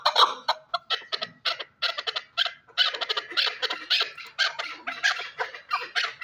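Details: Chukar partridge calling: repeated clipped, cackling chuck notes at an even, rapid pace, each a short harsh burst with brief gaps between.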